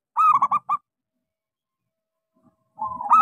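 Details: Local zebra dove with a small voice, used as a lure for doves that have stopped singing: a quick stuttering coo phrase, a long silence, then a rising coo, with a low rumbling background.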